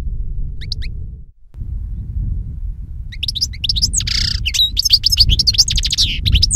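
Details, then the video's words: A European goldfinch sings a fast, tinkling run of twittering notes, liquid trills and a brief buzzy wheeze, over a steady low rumble of background noise. "Jilguero Europeo Cantando - European Goldfinch Singing"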